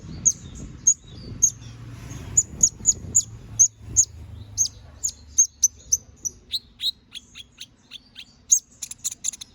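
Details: Canary singing in the energetic gacor ngobra style, used as a master song for training magpie-robins: high, sharp chirps repeated about every half second, then a run of quicker downward-sweeping whistled notes near the end.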